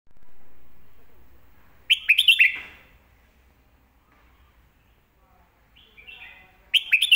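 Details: Red-whiskered bulbul master song used for teaching young birds: a short burst of loud, clear whistled notes around two seconds, a long quiet gap, then soft phrases and another loud burst at the end.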